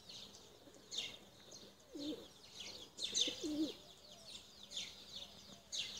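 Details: Tumbler pigeons being flown and sent high; soft, low cooing arcs at about two and three and a half seconds beneath repeated bright, high chirps from small birds throughout.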